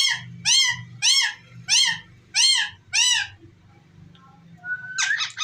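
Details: Ringneck parrot talking: six arched, harmonic-rich syllables repeated at a steady pace about every half second, then a quiet gap and a short rising whistle with a scratchy burst.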